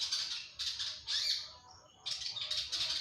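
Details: Long-tailed shrike in busy song: buzzy, scratchy bursts of high chatter broken by a brief pause, sounding harsh and rapid.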